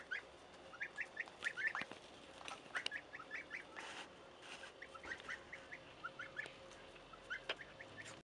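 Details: Goslings give thin, high, upslurred peeps at a steady pace, quieter and more spaced, among bursts of rustling noise and occasional clicks.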